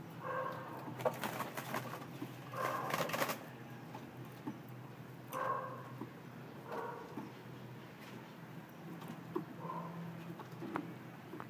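A spotted dove gives soft, low, hollow coos in short phrases, repeated every couple of seconds, over a steady low hum and a few sharp knocks.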